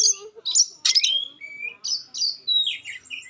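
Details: Magpie-robin singing sharp 'shooting' notes and clear tones meant to make other magpie-robins respond at once: bursts of high piercing chips alternating with short clear whistles, some rising, in quick succession.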